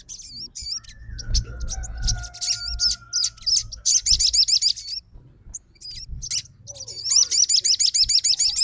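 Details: Crimson sunbird kept as a fighter, replying at once to a rival's song with thin, high, rapid rattling trills of looping notes, building into a longer run near the end, over a soft low hum.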